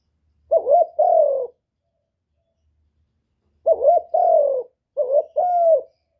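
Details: Spotted dove calling to stimulate other doves, three clear phrases with a long pause after the first, each a short wobbling coo joined to a longer mellow drawn coo.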